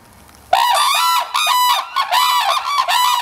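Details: Red-crowned crane parents duetting to declare territory at the Akan International Crane Center, 9 December 2022, beside their feeding chick; loud, harsh, harmonic trumpeting in a rapid unbroken series of overlapping calls, pulsing several times a second.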